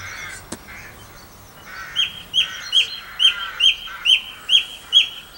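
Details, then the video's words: Song thrush heard in Campbeltown in April 2012, singing one loud, ringing note about nine times at a steady, quick pace after a few softer introductory sounds, with faint birdsong in the background. "Song Thrush Singing"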